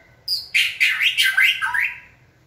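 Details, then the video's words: Trained White-rumped shama, stimulated to sing: a high thin opening note, then a loud burst of rapid warbling with rising and falling slurs and harsh buzzy notes, fading out on a low whistle. "Kỹ thuật kích thích lửa cho chim hót (shama bird)"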